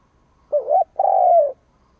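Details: A single coo phrase from a spotted dove decoy calling to provoke rivals: a short wavering note, then a longer, steady coo that falls slightly at the close.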